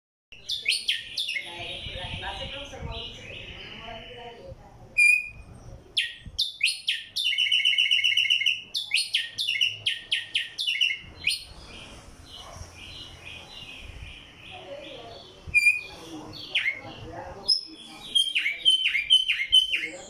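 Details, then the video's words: Tumba yegua singing in Barranquilla, Atlántico, Colombia: a long varied run of high chirps, buzzy rattles and sharp whistled notes in bursts, with a short pause midway and quieter chatter between phrases. "Tumba Yegua cantando"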